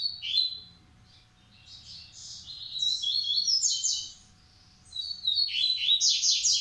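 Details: Captive-bred male double-collared seedeaters (Massai and Baiano song types) sing quick bursts of high, buzzy twittering notes, three bouts separated by short pauses, over a faint low hum.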